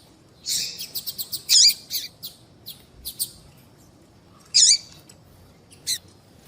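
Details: Calling female double-collared seedeater, used to excite males and attract their attention. A quick run of short high ticks leads into a loud buzzy chirp. After a pause comes one more strong chirp and a faint final tick.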